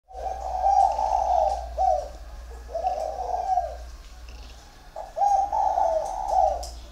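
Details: Dove aged 1.5 years, a definite male, giving competition coos: loud, deep rolling coo phrases in repeated groups with short breaks, over a steady low hum.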